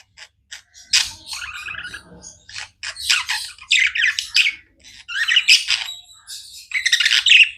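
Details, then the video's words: Chattering pet budgerigars: buzzy, grating warbles mixed with squawk-like notes and thin clicks, coming in rapid bursts that swell and fade. "Budgies non stop chirping sounds"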